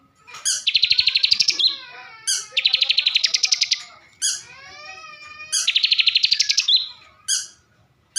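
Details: Singing caged bar-winged prinia from Slawi, Central Java: three loud phrases, each a sharp high note followed by a fast buzzy trill lasting about a second, with faint descending whistles between phrases.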